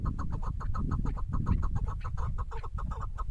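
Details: Female chukar partridge calling with a fast, steady run of short clucks, about six a second, over a heavy low rumble.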